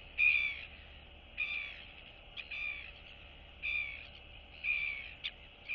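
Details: Greeting exchange between royal albatross chicks in a colony, 9 September 2022. Drawn-out whining, slightly descending calls about once a second, each followed by a brief sharp note, with quiet hiss between.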